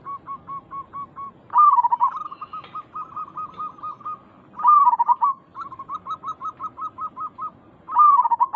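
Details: Local zebra dove in full voice, used as a lure call to make other zebra doves answer: runs of soft, rapid staccato coos broken by three louder rolling, bubbling phrases, spaced about three seconds apart.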